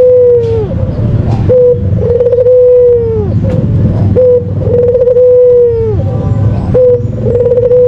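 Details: White Barbary dove, a caged competition bird, repeating its lure call three times: a quick note, a rattling trill, then a sustained low coo that droops, with low rumbling behind.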